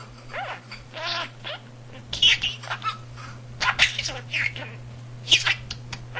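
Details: Pet male budgerigar talking at home, vocabulary close to 300 words and sentences; high, warbling mimicked phrases with sliding tones, then sharper chattered syllables, over a low steady hum.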